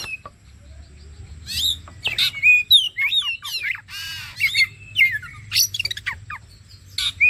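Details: Kacer, the Oriental magpie-robin, played as bait to get birds singing: varied chattering phrase of sliding whistles, grating buzzes and quick chips, one long rasping note near the middle, delivered in rapid irregular bursts.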